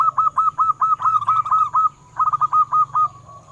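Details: Local zebra dove singing, used as a lure to make captive doves sing: rapid runs of short hooked cooing notes near one pitch, two bursts with a brief pause between, steady low hum beneath.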